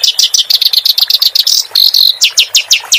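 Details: Clamorous reed warbler singing, recorded as a master track for tutoring caged songbirds; quick repeated chirps about five per second, then a brief steady whistled note, followed by slower emphatic rising chips.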